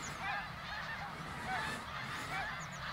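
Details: Hundreds of thousands of greater snow geese migrating over Ottawa, Canada, fall 2021. Short rising-and-falling honks overlap thickly in a noisy flock chorus, with a low background rumble.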